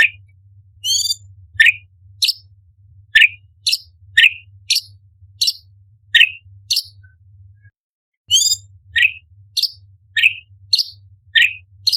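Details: Sharp, spicy 'tembakan' bursts from an orange-bellied leafbird used as a master song: loud high chirps sweeping downward, repeated roughly every half second, with occasional stacked squeaky notes, over a low background hum.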